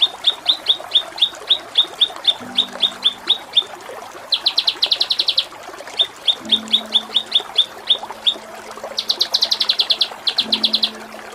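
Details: Kinoi singing in a 'ngepik kapas tembak' style with 'cililin' shots, used as a masteran training song for contest birds: rows of sharp high chip notes at about four per second, broken by dense buzzy rattling bursts, with a low steady hum underneath.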